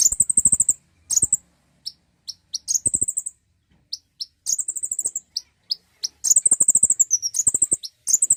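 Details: Common iora prompt audio for encouraging song: repeated high, fast trills, each a rattling run lasting about half a second to a second, alternating with isolated crisp chips and brief pauses.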